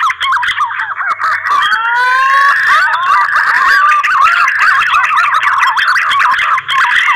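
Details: Green pigeons give mating calls, used as a lure for trapping: a dense run of mellow, wavering whistles that rise and fall and overlap almost without pause, like several birds calling at once.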